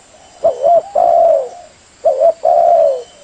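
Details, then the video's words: Spotted dove lure call for trapping doves, two loud phrases each of a short bubbling coo followed by a longer, smooth, slightly falling coo, about a second and a half apart, over light background hiss. "SUARA PIKAT TEKUKUR AMPUH DAN JITU"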